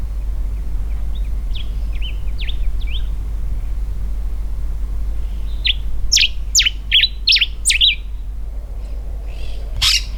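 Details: Common diuca finch in carob woodland in Mendoza, Argentina, singing a territorial song from a high perch during the breeding season; sharp, falling whistled notes in short phrases, a louder burst after six seconds, over steady low rumbling noise.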